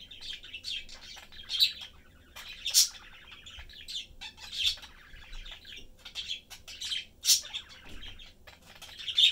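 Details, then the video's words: Budgerigar family of three pet birds, parents and a youngster, chattering and eating together indoors; busy warbled twittering broken by loud shrill chirps and squawks at irregular intervals. "Sunday cute Budgie/Parakeet family lives, chatting, having fun and eating."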